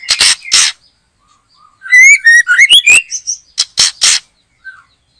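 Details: Backyard trapping of a white-rumped shama behind a house, the bird in full loud song: harsh paired bursts, then a rapid run of bright whistled notes climbing and falling, ending with more rasping bursts.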